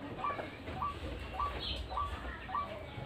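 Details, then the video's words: White-breasted waterhen lure call for trapping birds: a short upslurred note repeated roughly every half second over steady low rumbling background noise. "RUAK RUAK GACORAN AUTO JUARA PIKAT"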